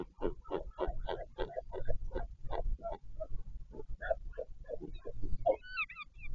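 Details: Northern royal albatross during a parent changeover at the nest, wild colony at Taiaroa Head near Dunedin, New Zealand, 14 February 2019: a steady run of rough, pulsing grunts, about three per second, over deep wind rumble.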